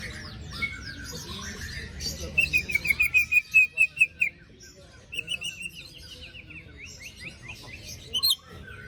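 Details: White-rumped shama performing a lure song for a bird quiet after moult: a fast string of rising whistled notes, about a dozen in a row, then softer repeated slurs and a final high flourish, hiss behind.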